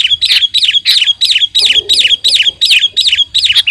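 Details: Sooty-headed bulbul in lively song, a master track for luring: a bright, slurred two-part note repeated evenly about three times a second, clean and loud against a quiet background.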